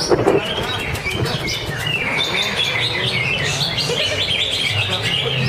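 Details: Greater green leafbird singing at an anniversary bird singing contest in Kranji, Bekasi: a busy run of high, rapid chirps and warbled twitters, with a low constant hum and crowd noise beneath.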